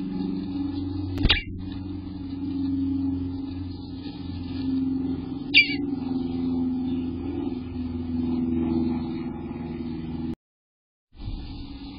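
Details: A steady low rumbling hum with two sharp knocks and a brief silent gap, with no animal voices.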